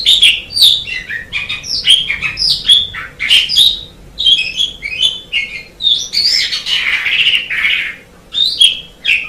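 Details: White Asian pied starling singing a dense, varied medley of whistled and chattering notes, mostly high and bright, in quick bursts with brief pauses and a longer harsh, noisy phrase near the end.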